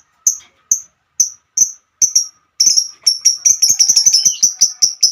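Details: Female lovebird singing: spaced single high chirps every half second, then speeding into a dense fast trilling chatter of high notes for the last two seconds, with a faint hum underneath.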